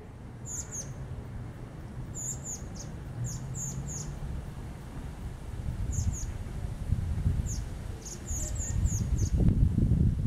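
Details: A hungry young blackbird, being fed plum by the adult male, gives thin, high, short begging calls in quick pairs and small bursts over a steady low rumble of wind or distant traffic.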